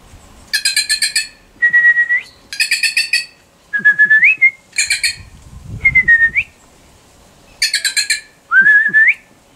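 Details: Wild, shy bird approached with food by a person. Stuttering buzzy rattles of four or five pulses alternate quickly with short level or rising whistles in a varied, back-and-forth sequence, with faint rustling underneath.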